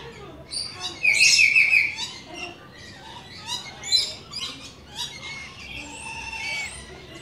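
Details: Rainbow lorikeets visiting give a quick run of shrill, buzzy screeches, then scattered sharp squawks and softer twittering.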